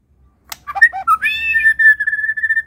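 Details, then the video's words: Medan white-rumped shama singing vigorously with varied fills. Twisting whistled notes lead into a long, steady, slightly wavering whistle held for over a second. "burung murai batu medan!!! FUll isian 100 ikut GACOR..!!!"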